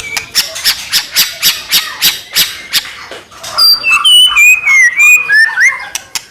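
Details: White-rumped shama song played to provoke rival shamas into singing: a series of sharp rasping chips about three per second, followed by a run of bright whistled notes jumping between pitches.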